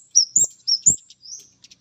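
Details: Orange-headed thrush male reacting to a female: a rapid run of sharp, high slurred whistles, each rising then dropping, four strong notes followed by a softer drawn-out whistle and faint ticks, with low thuds beneath some notes.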